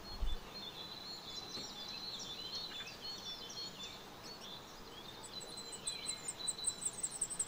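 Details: Nestlings of black redstart in a nest about 1.5 m high under a dacha veranda canopy, fed by their mother: a busy chorus of thin high squeaks and trills, ending in a rapid series of ticking notes.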